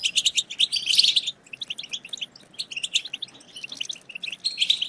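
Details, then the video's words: European goldfinch batbata twittering aimed at ending a goldfinch's silence: an intense burst of bright trills at the start, then scattered high chirps, building again into fast twitter at the end. "هيجان خرافي وتحفيز من أول دقيقة بتبتة حسون خرافية لن يهدأ حسونك بعد سماعها قل وداعا لصمت الحسون"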